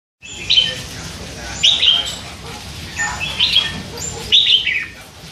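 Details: Hand-fed young red-whiskered bulbul, three months old, caged, chattering all day: four bright, slurred chirpy bursts about a second apart, each a quick warble of rising and falling notes, with quieter twitters between them.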